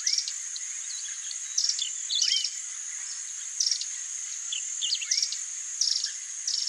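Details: White-tailed Goldenthroat chicks being fed at the nest give thin, high squeaks and brief twittering bursts every second or so, over a steady high insect drone.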